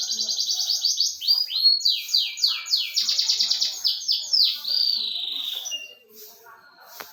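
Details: Song of a canary: a quick rattling trill leads into loud descending swept whistles and another fast trill, then a long fading note, quieter soft chatter and a final sharp click.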